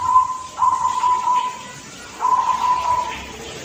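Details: A young local zebra dove from Blora with an end note of "kung" gives soft, rolling coos on one steady mid pitch, in two long phrases of about a second each with a pause between, over a faint background hiss.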